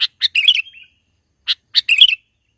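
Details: Sooty-headed bulbul singing in the mountains, used as a lure, short bright chirps and a bubbly, warbled phrase, then a pause and another burst of quick chirps with a bubbling ending.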